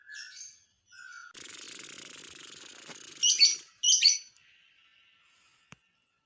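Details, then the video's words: Lovebird calling to rile up other lovebirds: short high chirps, then a long harsh buzzing stretch lasting nearly two seconds, ending with two loud shrill squeaky bursts and a single click. "dijamin burung Lovebird lain emosi"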